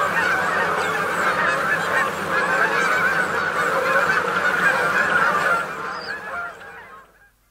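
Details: Maryland feeding flock of Canada geese, dense overlapping honks repeated rapidly by many birds, the chorus steady then fading away over the last two seconds, with faint crickets or grasshoppers.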